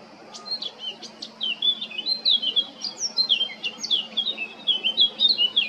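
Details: Male Eurasian blackcap singing in Baška on the island of Krk, Croatia, 20 July 2022: a rapid, varied warble of scratchy and fluty notes, with quick rising and falling phrases running continuously for several seconds.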